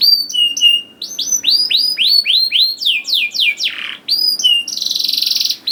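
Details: Canary song for encouraging young canaries to sing: repeated sweeping whistled notes, a few rising slurs, a harsh downward rasp, and a closing dense buzzy trill.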